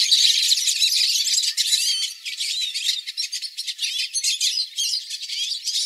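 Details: Hooded siskins (Spinus magellanicus) in a singing flock, recorded live; bright, loud overlapping warbles and twitters at first, then choppier bursts of chirps and short trills pulsing in quick succession.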